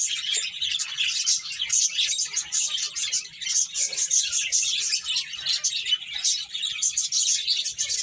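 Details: Group of finches chirping while playing, a busy, unbroken stream of sharp, high twittering notes from many birds at once, pulsing slightly in loudness over several seconds.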